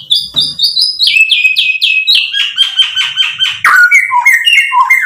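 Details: White-rumped shama in full song, rich with varied filler phrases, used as a lure to provoke other birds into answering: a run of rising whistled notes, then slurred buzzy phrases and descending whistles.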